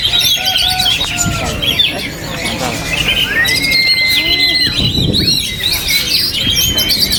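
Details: Oriental magpie-robin, a kept bird, keeps singing in strong wind: clear drawn-out whistles, one long slightly falling note, mixed with quick chirps and trills over gusting low wind.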